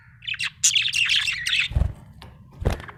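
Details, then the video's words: Budgie chirping happily in a quick scratchy warble of rising and falling buzzy notes, followed by two dull knocks; low hum behind. "Happy budgie chirping sound"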